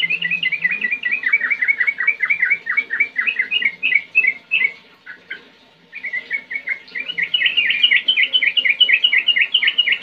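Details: Sooty-headed bulbul singing steadily in the fast rattling 'ngetir ngerol' style, a long run of quick, bright, downslurred notes, a brief lull near the middle, then a rising stream of rapid chattering notes.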